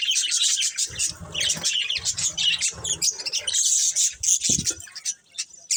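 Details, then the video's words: Budgerigar pair kept for breeding in a continuous stream of loud, buzzy warbling chatter with scratchy chirps and clicks, barely pausing throughout. "Cute Budgies Chirping Sounds | Love Birds Breeding Pair"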